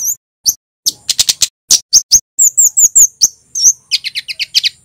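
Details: Male kemade, a Javanese flowerpecker, in full 'cit keres' song: thin, sharp high chirps and short downslurred whistles, sparse at first, then in quick bursts of three to five notes, ending in a rapid run of ticking notes.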